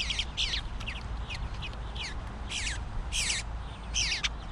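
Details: Male bluebird fledgling demanding food: a mix of thin downward-slurred notes and louder rasping squawk bursts, irregularly spaced over four seconds, with a low constant hum behind.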